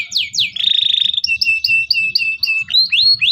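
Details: Local canary song used to coach young canaries: two steep falling whistles, a buzzy trill, a string of repeated short whistled notes, and rising swept calls at the close.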